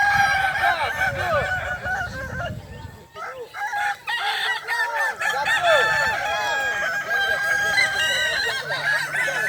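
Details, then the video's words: Kukuak Balenggek roosters in the boko-class final of a crowing competition at Sirukam dairy farm, Solok regency: several long, stepped, repeating crows overlap throughout, with a brief lull near the middle, plus people talking in the background. "Final lomba ayam kukuak balenggek kls boko"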